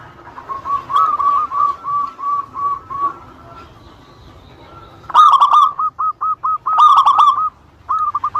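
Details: Local Indonesian zebra dove song used to provoke rival birds into calling back: a faint series of even coos first, then louder, closer rolling fluted phrases with short note runs.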